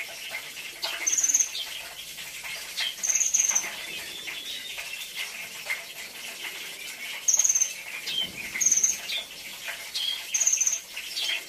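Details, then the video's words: Brown-throated sunbird delivering a rich 'isian' song of brief, very high buzzy trills, each under half a second, repeated roughly every one to two seconds over a constant hiss of distant chirps. "isian mewah Kolibri ninja"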